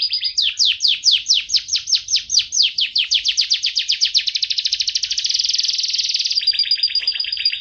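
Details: Canary in continuous song for training other songbirds. Loud downward-sweeping whistled notes speed up into a dense fast trill, then shift to a higher, finer rattle.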